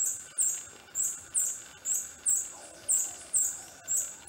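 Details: Long-tailed hermit, subspecies muelleri, singing persistently at its lek display arena in shaded forest understory, Pará, Brazil, June 2014: very high squeaky notes repeated about twice per second in a steady series over soft background hiss.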